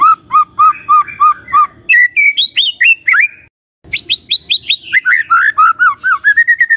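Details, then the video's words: White-rumped shama song used as a lure to provoke other shamas: rapid series of clear whistled notes repeated in bursts, rising to higher sharp notes, a brief pause, then fast looping whistles with a faint low hum beneath. "Dalam Hitungan DETIK Murai Cepat NYAMBAR❗ Pancingan Murai Batu"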